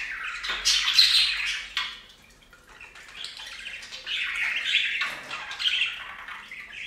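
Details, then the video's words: Bathing pet budgerigars at a fountain give a loud squawking burst, then a quieter stretch before scratchy warbling chatter resumes. "Best Budgie Bath EVER! + Budgie sounds"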